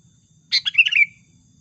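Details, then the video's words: Sooty-headed bulbul lure song for trapping, a single quick bubbly phrase of several chirped notes falling into a short drawn-out ending, clean with faint low background hum. "SUARA PIKAT BURUNG KUTILANG GACOR"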